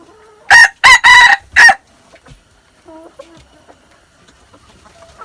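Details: A young red junglefowl, six months old, recorded on 13 March 2019, crows once. The crow is short, ragged and loud, split into four bursts, the second long and strained. Then come soft low calls and scattered faint chirps.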